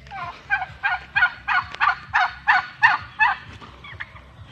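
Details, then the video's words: Domestic male turkeys kept apart from the females give a gobbling series: about nine rapid, rattling bursts in roughly three seconds, each loud and broad, over a low steady hum. "WHAT THE MALE TURKEYS DO WHEN THEY ARE SEPATED FROM FEMALES?????"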